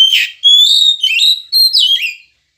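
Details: Kacer, the Oriental magpie-robin, singing a morning prompt song for pet birds: a bright burst followed by a sustained pure whistle, then several quick downslurred, warbling whistles over about two seconds.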